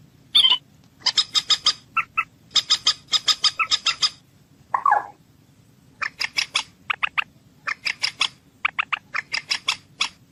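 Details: Moorhen producing long volleys of rasping, clattering notes in rapid series, broken by one lower, gurgling croak midway. Steady chattering fills most of the recording.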